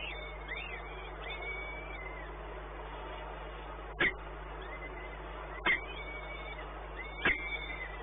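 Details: Peregrine falcon at Płock, Poland, 1 May 2019, around 1 pm; a few rising-falling arched calls sound early on, then three sharp clicks follow at intervals over a steady low mechanical hum.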